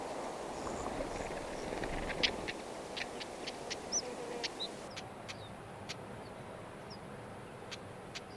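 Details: Stonechat, a pair tending nestlings in the wild; rapid series of sharp clicks, several per second at first, then spaced out, with scattered faint high chirps over a rushing background.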